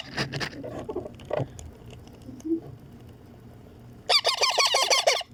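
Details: Young Indian ringneck parakeet kept as a pet, begging at feeding time: soft shuffling and a few muffled notes, then a dense run of rapid harsh squawks at the end.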